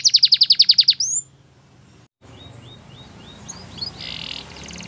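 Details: Canary song opening with a fast series of about ten loud buzzy notes near 4–6k, ending in a rising whistle, then a gap and faint repeated upslurred chips with a brief buzzy burst over background hiss.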